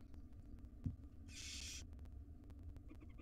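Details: Wild barn owl owlets, five in a nest box, being fed breakfast by their mother; a single harsh, broadband hissing screech lasting about half a second over a steady low hum, with faint clicks.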